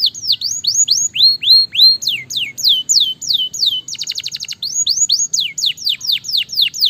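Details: Fast, dense song from a Gloster canary kept as a fighter bird. Rows of steep down-slurred whistles repeat about three to four per second, interrupted by a brief clipped rattle before the slurred notes resume.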